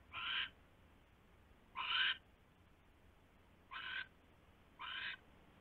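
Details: Owl at a nest, recorded at 12:43 AM on 27 January 2016 as the male brings a huge rat; four harsh, broadband screechy bursts about half a second long, irregularly spaced over several seconds, over a low steady hum.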